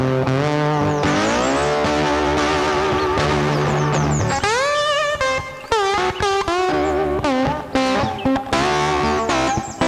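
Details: Guitar-led instrumental music with sliding, bending notes plays throughout, with no animal calls.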